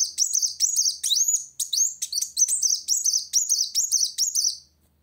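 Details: Continuous high-pitched twittering from a sunbird challenging a rival, a fast jumble of short, sharp chirps and upward slurs, then it stops abruptly.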